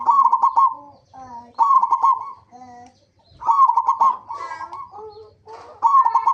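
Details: Local zebra dove lure song aimed at making other zebra doves sing. Rapid pulsed coo phrases alternate with softer, lower wavering notes, possibly a second dove, in close succession.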